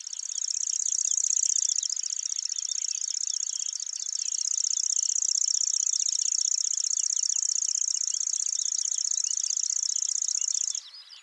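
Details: Lanceolated warbler in Hokkaido's Wakka Primeval Flower Garden, Japan, delivering an unusually long song: an unbroken high-pitched mechanical reel of rapid ticking notes sustained for about eleven seconds, with soft twittering of other birds behind.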